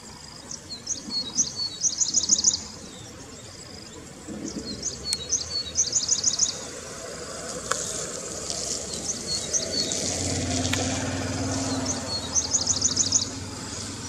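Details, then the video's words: Grey-breasted prinia in roadside scrub, giving bursts of thin, high, rapid ticking notes in quick series, three phrases about four seconds apart, each ending in a tight trill; steady background hiss and faint low rumble. "Grey-breasted Prinia vocalization"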